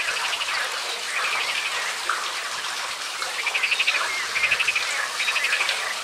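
Grebes giving bursts of rapid, pulsing trills about half a second long, repeated every second or so, over a steady wash of water or rain noise.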